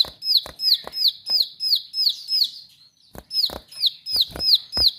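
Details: Bar-winged prinia in full song, loud sharp repeated notes, each a high downslurred whistle near the top of its range, delivered about three per second in steady runs with a brief pause midway; sharp clicks punctuate the phrases.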